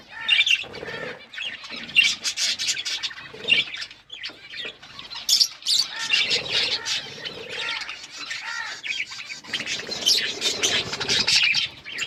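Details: Several pet budgerigars chatter continuously. Rapid high chirps and squeaky warbles pile over one another, with occasional lower clicking notes and a short lull around the fourth second.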